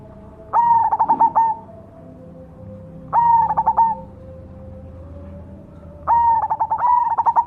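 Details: Zebra dove of the black cemani variety delivering its gacor song: three mellow, rolling coo phrases of stuttered notes about every three seconds, with a faint steady whine underneath.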